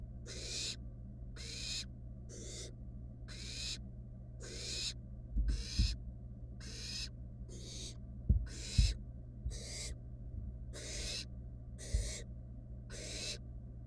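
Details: Wild barn owl chicks in a nest box, one taking a rat its sibling failed to swallow, give a long run of about fourteen evenly spaced, harsh snoring hisses, with occasional knocks and background hum.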